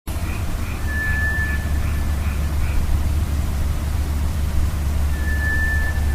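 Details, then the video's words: White's thrush, a summer visitor, sings in a forest at midnight near Mt Moiwa, Sapporo, about July 2009, with a thin, eerie, clear whistle of nearly a second, repeated after long pauses. This bird alternates low and high notes. Faint chirps and a deep rumble lie beneath. "トラツグミの鳴き声 (Zoothera dauma singing)"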